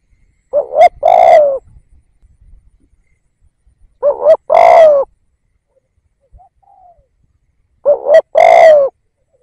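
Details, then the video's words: Spotted dove used as a decoy for luring wild birds, repeating three identical phrases roughly every four seconds: a brief rising coo then a long, buzzy, falling coo, with a faint soft note between phrases. "Tiếng Cu Gáy / chim cu gáy kích bổi nhanh nổi / Cu gáy / Chim cu gáy mồi / cu mồi"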